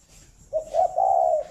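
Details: Single cooing phrase from a captive breeding spotted dove in Ba Vì, Hanoi, Vietnam, in the morning: a brief low note, a short coo, then a long, smooth, slightly falling hoot.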